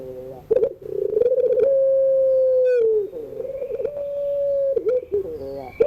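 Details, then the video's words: Pelung-style crying song of a ringneck dove recorded in the afternoon as a guide for young birds learning to sing: stuttered rolling notes lead into a long smooth coo, then a second drawn-out coo with a dip. "tangisan suara puter pelung sore hari"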